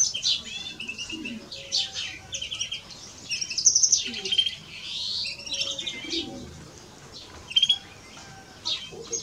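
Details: European greenfinch pair, male and female, with a continuous high twitter, buzzy rolling trills and clear whistled notes that swell loudest midway, then thinner chirps toward the end.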